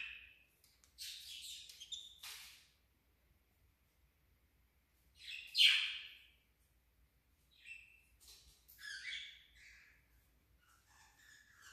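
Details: Cockatiels competing for affection give scattered harsh chirps and squawky calls, with one loud rasping note standing out midway.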